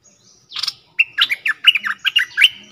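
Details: A bulbul, a newly caged bird three days in captivity, gives a quick run of bright, bubbly chirps and short warbled phrases, about eight notes over two seconds, high and lively, with no other sounds.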